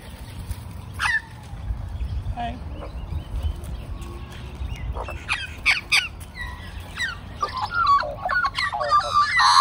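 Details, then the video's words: Magpies from a big group of several families, friendly with the man who feeds them, build from scattered short calls into a dense chorus of warbled, slurred notes that swells louder toward the end. "Magpie Army Serenades Old Man"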